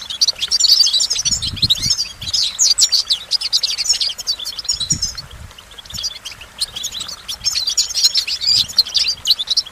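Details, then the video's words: A goldfinch pours out a long stream of sharp, high chirps and rolling trills, briefly easing off near the middle; soft low thumps sound now and then underneath. "Goldfinch Motivation Performance"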